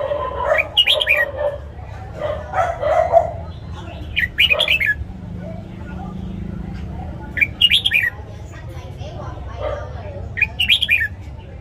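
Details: Caged red-whiskered bulbul with a morning training song: short, rich, whistled phrases given about every three seconds, each a quick rising-and-falling cluster, between softer lower notes over a constant low background hum.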